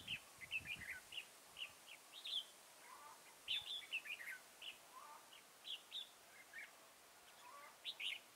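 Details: Red-whiskered bulbul decoy fighting song during trapping of wild birds at Chùa Hương, Mỹ Đức, Vietnam, on 11 November 2017: short bright whistled and warbled phrases, rising and falling, repeated in quick bursts, with faint lower calls between.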